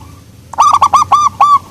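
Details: One phrase from a local zebra dove prized for its soft voice: five bubbling, arched coos delivered quickly, with the last note drawn out.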